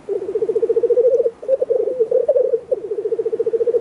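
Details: Black grouse at a small lek of only three birds, heard from a hunting hide: loud, low bubbling cooing made of rapid even pulses, running almost unbroken with two short breaks, and no other clear sounds.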